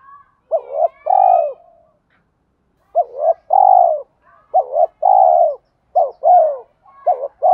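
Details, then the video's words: Spotted dove kept as a lure bird, giving a deep thổ-style coo: short double notes followed by a long falling coo, repeated in phrases with pauses; faint chirps from other birds in the background. "chim cu gáy giọng thổ pha thúc đấu rút bổi nhanh về"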